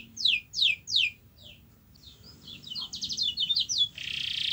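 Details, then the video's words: Canary song used to get a lazy canary singing: three loud descending whistles, a pause, then softer chattering trilled notes and a closing harsh buzz, over low background noise. "Kenari Anda MALAS BUNYI, Coba Putar Video Ini !!!"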